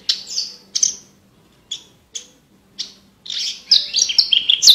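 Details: Branjangan (Javan bush lark) song meant as fill-in material for competition birds: separate sharp chirps spaced about half a second apart, then a continuous high twittering run of mixed notes.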